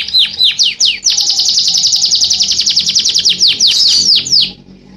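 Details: Canary in full song in the nunduk style: a few separate sweeping notes open into a long, rapid, even trill of high descending notes lasting about three seconds, then stopping abruptly.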